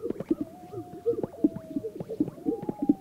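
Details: Greater sage-grouse performing mating rituals at morning on a remote historical lek in a vast sagebrush expanse in North Park, Colorado; hollow popping plops in irregular clusters, several birds overlapping, with a thin steady whistled tone behind.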